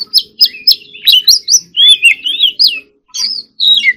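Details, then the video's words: White-rumped shama, a kept songbird singing in contest style, gives repeated sharp whistled notes, then a flowing series of warbled, wavering phrases and a few closing slurred whistles; faint hum beneath. "choè than hót líu || Kacer Gacor"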